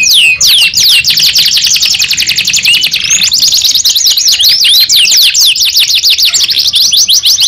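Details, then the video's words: Young canary sings a nonstop stream of fast, shrill trills, dense repeated downslurred notes shifting between speeds, with a brief softer bend around three seconds. "KENARI PAUD BAKAL NYAUT 2 IN 1 | CANARY SINGING"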